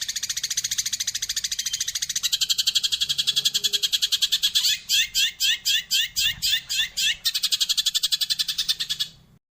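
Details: Eurasian tree sparrow song in the 'tembakan' and 'roll tembak' variation: a long rapid buzzy trill, then a run of about ten distinct sharp chirps, then a short return to the rolling trill before it stops.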